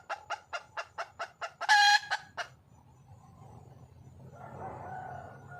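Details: A red junglefowl hen in the wild calls to a male: sharp rhythmic clucks, then a loud, harsh, drawn-out squawk, two more clucks, and faint rustling murmurs afterward.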